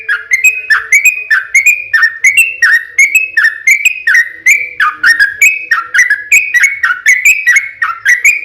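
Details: Lively long rapid-fire yellow-vented bulbul song meant to draw replies from other birds: steady run of liquid, slurred whistled notes, each dipping then rising, repeated about three per second without pause.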